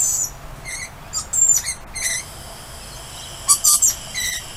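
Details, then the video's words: Busy chatter of lorikeets saying hello to their owner outdoors: rapid overlapping shrieks and squeaks, a loud burst early on and a dense cluster of piercing cries after three and a half seconds. "Lorikeets Saying Hi"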